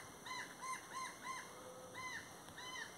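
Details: Brown jay (Psilorhinus morio) flying and calling, giving loud, harsh, arched calls about two a second in short runs over a steady high-pitched whine.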